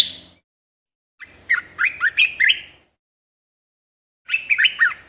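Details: Red-whiskered bulbul in captivity, song for training other caged birds: cheerful phrases of quick, bubbly whistles rising and dipping, repeated after pauses, backed by a continuous thin high hiss.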